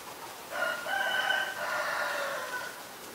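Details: Common myna (Acridotheres tristis) recorded with a Nikon P1000 in Ubon Ratchathani, Thailand, March 20, 2022: one loud, drawn-out, raspy and slightly gurgling call of about two seconds, with a steady tonal band through it.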